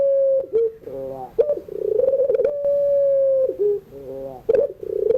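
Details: Puter pelung, a Barbary dove, singing in the afternoon as a model for young birds learning to sing. Long even tones alternate with dipping, throaty rolled coos and bubbling stuttered phrases, with brief clicks between phrases.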